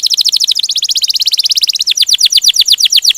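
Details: Singing canary in gacor ngerol style: a very fast, even rolling trill of high buzzy pulses, shifting to slightly slower, sharper downward-sliding notes toward the end.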